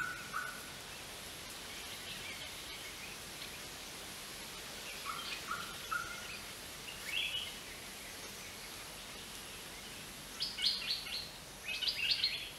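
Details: Greater racket-tailed drongo calling with scattered whistles and sharp notes, ending in two loud, harsh, buzzy bursts of rapid notes, all over continuous background hiss.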